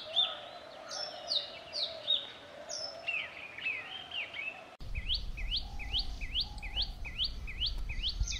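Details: Male Oriental magpie-robin in Central India, near Satpura, singing varied whistled phrases with rising and falling slurs, followed by a series of the same sharp upswept whistle repeated about every half second, with low rumbling background noise.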